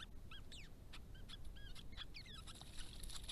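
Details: Noisy White-browed babblers at a woodland pond: a rapid string of short squeaky whistles and slurred chips, jumbled and overlapping, suggesting several birds calling at once.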